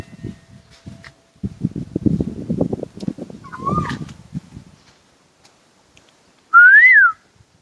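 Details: Asian koel song: one loud, clear whistled note that rises then drops away, after a fainter earlier whistle and a stretch of low rumbling background noise.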